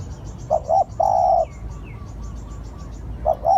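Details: A spotted dove lure call: one full phrase of two short coos and a long coo, then another begins, with faint high twittering of small birds behind.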